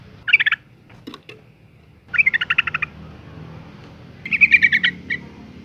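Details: Female Yellow-vented Bulbul in breeding condition, calling males as a lure; three brisk bursts of rapid chattering notes, each about half a second, against low background noise.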